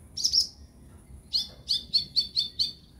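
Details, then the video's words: Brown-throated sunbird (konin) therapy recording meant to draw caged birds into song: a high buzzy double note, a pause, then a rapid row of six sharp, high chirps at an even pace, quiet background. "terapi ampuh buat konin biar gampang bunyi dan gacor"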